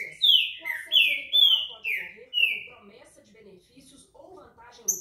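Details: Green-winged saltator, known locally as trinca-ferro and described as a fine singer, gives loud clear whistled phrases, each note sliding downward, five in quick succession over about two seconds, then fainter background sounds.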